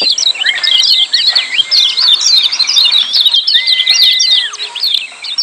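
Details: A crowded 'ciak' chatter of lemon-bellied white-eyes, used as training audio for silent birds: rapid high twitters pour out steadily, and a long level whistle sounds near the middle before sliding down.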